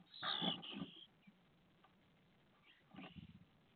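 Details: Common starling chicks in a nest box at feeding time, filmed by a round-the-clock camera on 12 May 2022 at 5:55; harsh, rasping broadband burst lasting nearly a second, then a shorter scratchy burst about two seconds later, with muffled box noises.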